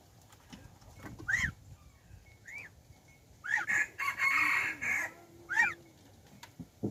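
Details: Decoy rooster, a domestic chicken crossed with wild junglefowl, filmed in January 2021, gives a strained crow lasting about a second and a half, with scattered thin arched chirps before and after it.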